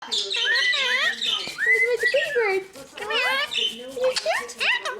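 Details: A pet Indian ringneck parakeet, chatting at breakfast alongside a cockatiel and cockatoo, chatters in bursts of rising and falling whistles and squeaky speech-like phrases, mimicking the cockatiel, in a small room.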